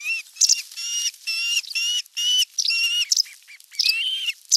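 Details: Live nest camera on 27 June 2022 as a whole fish arrives: an osprey repeats strong, flat, harmonic whistles, each held about a quarter second, interspersed with sharper high chips.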